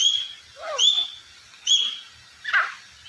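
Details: Deccani partridge calling: three short bursts about a second apart, each a high clear whistled note paired with lower squeaky notes that slide downward, with a hoarse note at the end.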